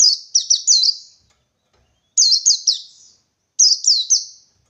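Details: Wild Indonesian white-eye looking for a rival: three bursts of rapid high warbled chirps, each run of three or four looping, down-slurred notes, separated by pauses of about a second.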